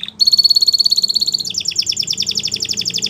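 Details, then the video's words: Belgian canary singing to teach young canaries: a brief note, then a fast, even, ringing trill that switches halfway to a quicker, choppier rattle. "Canary Teacher For Your Preschool Canary!! Belgian Canary Singing"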